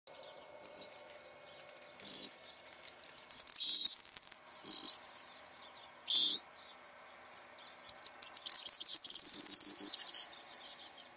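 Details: Corn bunting in breeding excitement, singing through the morning around a hide: several songs, each opening with sharp ticks that speed up into a high, dense jangling rattle, with short high notes between songs.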